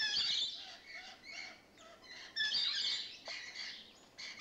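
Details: Rainbow lorikeets that have newly moved in, showing lively behaviour: bursts of harsh, screechy chattering and squawks in the upper range, coming in loud clusters around the start and middle with quieter notes between.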